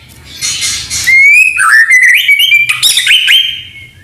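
White-rumped shama singing loud, rich whistled phrases that slide and warble, with sharp rising notes and quick chattering bits mixed in.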